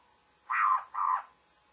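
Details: Babbler giving its morning call: two harsh, nasal, buzzy notes in quick succession, the first slightly longer, against a quiet background.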